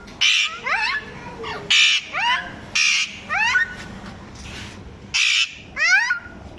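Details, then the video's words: Parrot copying the voice of a small child: harsh broadband squawks alternate with short rising, harmonic voice-like slurs, about eight bursts in under seven seconds. "parrots speaking"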